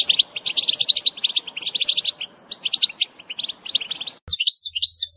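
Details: European goldfinch singing in the telqam style: a fast, liquid twittering of high tinkling and buzzy notes tumbling in quick bursts, briefly pausing, then resuming after an abrupt break with sparser bright chirps over a faint low hum.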